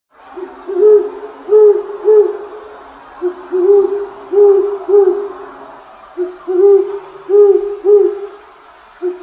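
A great horned owl gives deep, soft hoots in short runs of two or three, with brief pauses between them and a faint hiss behind.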